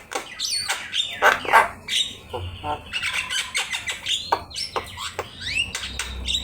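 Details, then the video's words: Javan myna (jalak kebo) in full song, a master for teaching birds: rapid grating squawks and rattles, about three a second, broken by short rising whistles toward the end. "Suara jalak kebo gacor"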